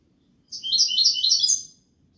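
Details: European goldfinch singing in the song style locally called kubiya malqa: a loud, rapid twittering phrase of about one second, bright high-pitched chirps and trills run together, with only faint low background hum.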